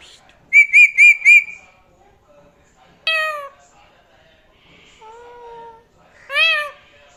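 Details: Pet parrot calling indoors: a quick run of four bright chirping whistles, then a drawn-out harmonic meow-like cry, a flat nasal tone and a final wavering squawk, separated by short silences.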